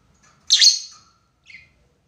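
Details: Lovebird calling to a rival in a lure recording of 'ngekek' chatter: one strident, rasping screech, then a shorter, softer squeak a second later.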